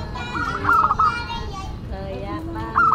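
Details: Zebra dove of local stock singing a classic song: a short stepped cooing phrase early on and another at the very end, over a dense hum of background sound.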